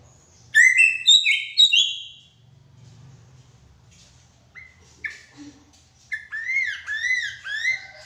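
Hair-crested Drongo giving bright, varied whistled phrases of quick rising and falling notes in two bursts, separated by a brief quieter pause.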